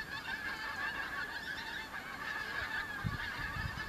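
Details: Large flock of Pink-footed geese arriving as autumn migrants in the Kelvin Valley, North Glasgow, 25 September 2021: unbroken chorus of high, wavering honks from many birds, with low rumbles near the end.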